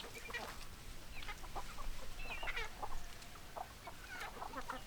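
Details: Chickens clucking, quick uneven clucks and brief higher squawks over a loud, low rumbling background noise.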